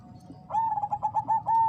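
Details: A female zebra dove of the Bangkok type calls the male to raise breeding urge. Six or seven quick, bubbling coos run together, ending on a longer, steady note.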